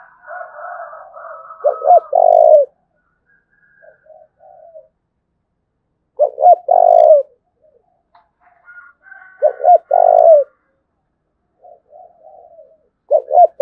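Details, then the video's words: Thúc bổi calling of a spotted dove from Đồng Nai, Vietnam: soft introductory notes lead into short coos and a long falling coo, with the phrase repeated about every four seconds and faint chirps from another bird between phrases. "Cu Gáy Đồng Nai Đang Thúc Hay Nhất, tiếng cu gáy thúc bổi mới"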